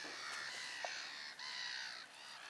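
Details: Hungry young Eurasian Spoonbills begging to be fed by adults unwilling to feed them, Inlaag Keihoogte near Wissenkerke. Drawn-out, wheezy calls rich in harmonics run almost continuously, with a brief break midway.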